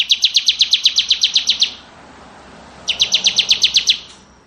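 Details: Bar-winged prinia, crystal type, pouring out two quick metallic trills of about a dozen notes each, separated by a pause of over a second, over soft background noise.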